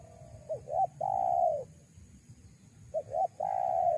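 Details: Spotted dove calling to lure wild doves: two matching phrases about two and a half seconds apart, each of two short hooked notes then a long, smooth, mellow coo, over faint low rumble.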